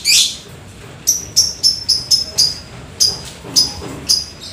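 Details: After rain, a lovebird sings vigorously with typing-style chatter: an opening harsh screech, then a rapid series of thin, high ticking chirps in quick clusters.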